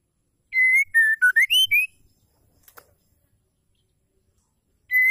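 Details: A female white-rumped shama gives a lure call to get males singing: a tight string of bright whistles, steady then dipping and rising, then a long silence before the whistle starts again.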